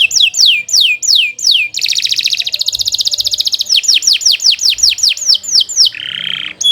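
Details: Canary in long, continuous song, recorded as a tutor track for training other birds: sweeping downslurred whistles repeated rapidly, then a dense buzzy rolling trill, more falling whistles, and a short harsh rattle near the end.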